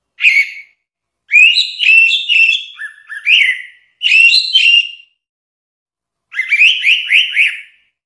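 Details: Orange-headed thrush singing in a training-song compilation: four bursts of clear whistled and warbled notes in the upper-middle range, some rising, others sliding down, separated by silent pauses, with no other sounds.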